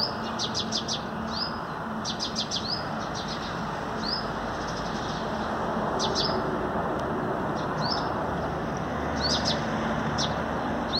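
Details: Male hummingbird singing in the morning on an artificial tree, 5 April 2021, gives thin high twittering of ticking chips and upswept squeaks about once a second, with excited sparrows calling in the background over steady rushing wind or traffic.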